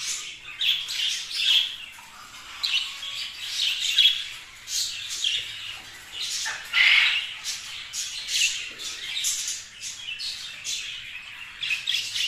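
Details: A flock of kept budgerigars chatters steadily with scratchy squawks and thin, high chirps, peaking in louder bursts every few seconds.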